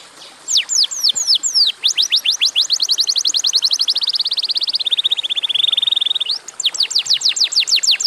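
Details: Atlantic canary in strong song, used as a trigger for other canaries: sharp downslurred whistles speeding into a long rapid trill that drops to a lower buzzy rattle, then more swept high notes.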